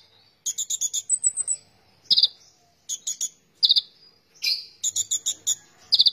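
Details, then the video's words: Oriental magpie-robin singing in spirited style: bursts of sharp, clicking notes alternate with short, clear whistles and a thin high whistled phrase, delivered in irregular phrases with brief silences between. "konin gacor"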